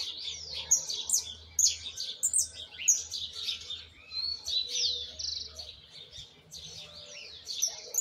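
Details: Young Argentine white goldfinch still learning its song, a misisipi style with things left to correct: rapid high twittering phrases with bright rising and falling whistled sweeps and buzzy trills, delivered in bursts with brief pauses.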